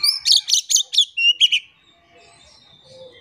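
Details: Energetic Oriental magpie-robin song used to trigger silent birds to sing: five quick harsh chattering notes followed by rising whistles, then fading to quiet background.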